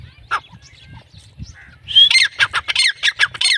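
A female grey francolin gives a quick run of about eight harsh, high, squawking notes, roughly four or five each second, after one faint note and a low background hum.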